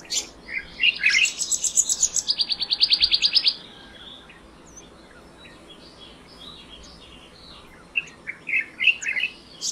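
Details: Black-naped monarch delivering a quick rattling series of bright, high notes that slows slightly near its end, followed by softer background chirping from other birds.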